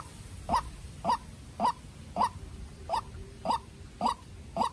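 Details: White-breasted waterhen, a young decoy bird in a calling duel with a wild bird; short hoarse notes repeated steadily almost twice a second over low background rumble.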